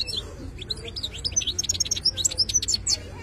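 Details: European goldfinch, wild-caught, singing a fast run of high sliding twitters and sharp tinkling notes that become denser and louder in the second half, with low background rumble.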